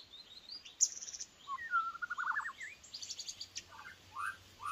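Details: White-rumped shama used as a decoy bird, said to be weak: a varied run of slurred whistles, a long wavering phrase and short rising notes, with some rattling chatter mixed in.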